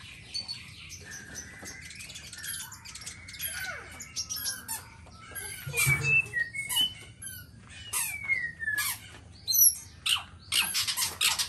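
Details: Black-tailed white-rumped shama of the Nias type singing: varied whistled phrases mixed with sharp clicks, rattles and rapid high chattering notes, some sliding whistles, loud bursts separated by brief pauses.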